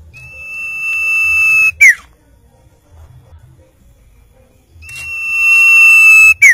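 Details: Common iora song repeated twice: each phrase a sustained level whistle lasting more than a second, ending in a sharp falling note, with a pause of about three seconds between phrases.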